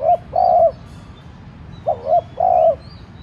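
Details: Decoy spotted dove cooing to provoke rival doves: a short rising note then a long flat coo, twice, with faint thin chirps of small birds in the background.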